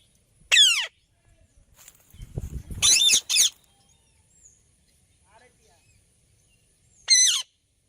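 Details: Rose-ringed parakeet giving loud, harsh screeches that slide downward, one near the start, a doubled burst around three seconds and another near the end, with a low rumbling noise just before the middle calls.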